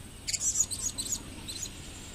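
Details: Shrill high-pitched chirps from a captive blue-crowned hanging parrot in 2015: a tight series of five or six sharp squeaks within a second, then a softer pair after a short pause.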